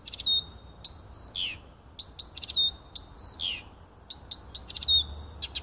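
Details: Nightingale in a small wood by a home on 30 June 2015: a clear level whistle and buzzy downward sweeps, with bursts of sharp clicking notes and repeated phrases between them.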